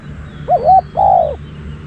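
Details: Spotted dove used as a decoy to lure wild doves: two loud, mellow cooing notes, the first short and wavering, the second longer and sustained, over low background rumble.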